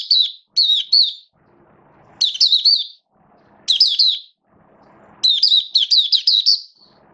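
Oriental white-eye sings in four quick, high, twittering phrases, about one every one and a half seconds. A faint low rumble fills the gaps.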